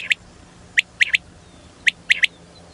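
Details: Female common quail call: loud, sharp, high-pitched clipped notes given singly and then in tight groups of two or three, spaced under a second apart, over a low steady hum.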